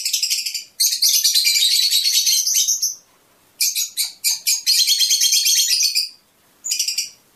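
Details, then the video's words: Fischer's lovebird twittering meant to encourage mating, with long stretches of fast, shrill, buzzy chatter broken by short gaps and a few clipped chirps between bursts. "أجمل تغريد لطيور الفيشر"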